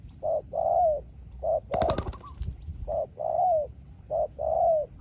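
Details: Spotted dove trading calls with a rival wild dove: regular double coos, a clipped hoot followed by a long falling note, broken once by a loud clattering burst.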